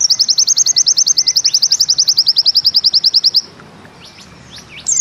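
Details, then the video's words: Bustomi-style 'nembak ziperrr' from a pleci (white-eye): a sustained machine-gun trill of high, evenly spaced notes lasting over three seconds, followed by near silence and a faint final chirp. "Bustomi NEmbak Ziperrr Mudah DI Tiru"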